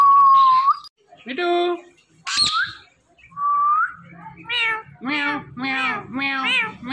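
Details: Indian ringneck parrot, a talking pet, mixes a long rising whistle and a sharp squeak with a series of five wavering, meow-like harmonic calls, each about half a second long, indoors.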